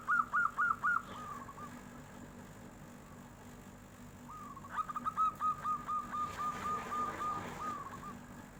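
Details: Local zebra dove, kept bird, responding to a passing tofu seller with its fluting song: four loud trilled coos open, then after a pause a long even run of about twelve rapid staccato notes, ending in a drawn note.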